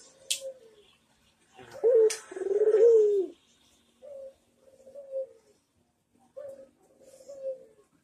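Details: Barbary dove (puter) in manggung style on a master recording for training birds: one loud rolling coo in the middle, with softer, shorter coos before and after and a pair of brief clicks.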